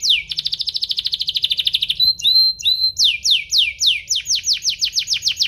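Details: Canary singing, used to stir other canaries into song: a fast, pulsing high trill for two seconds, a few whistled upslurs, then steady loud downward-sweeping notes repeated about four times per second.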